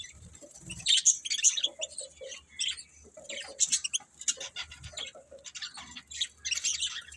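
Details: Budgie chirps come in quick, uneven clusters of sharp high notes mixed with lower short tones, separated by brief pauses and soft low thumps.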